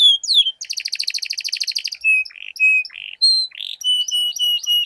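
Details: Canaries duelling with long rolling song: a falling slur, a long fast buzzy trill, then separate clear whistled notes and short rolls alternating.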